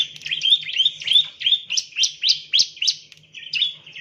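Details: Ciblek, the bar-winged prinia, chirping as a training lure: a fast series of buzzy, sharp notes with sudden upward flicks, about three per second, over a faint steady low hum.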